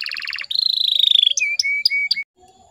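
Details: Canary used to lure young males into singing. A quick pulsed trill, then a slightly falling buzzy roll, followed by four short flat whistles each starting with a click.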